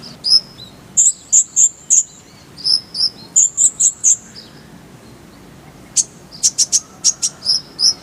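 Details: Kolibri ninja, or Brown-throated sunbird, singing as a songbird tutor: a string of high, ringing two-part notes about a third of a second apart, then a pause, then sharp, rapid ticking chips.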